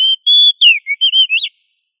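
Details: Oriental magpie-robin (kacer) in strong song, used for tutoring other magpie-robins to sing loudly; a rapid string of sweet whistles, a sustained level note followed by falling and wavering notes, finishing with an upward flick.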